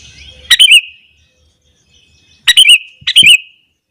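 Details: Sooty-headed bulbul singing in the morning to provoke other bulbuls: two short bursts of bright, bubbly warbled notes with wavering whistles, separated by a two-second pause, with faint low background noise at the start.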